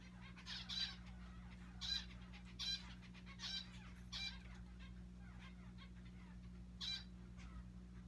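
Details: Pet zebra finches playing in their owner's hair give short, nasal, trumpet-like beeps at irregular intervals over a steady low hum.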